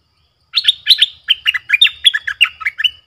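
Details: Lure streak-eared bulbul calling wild birds; a clear, steady run of around twelve lively chirps lasting two and a half seconds, notes flicking between higher and lower pitches, over a faint low hum.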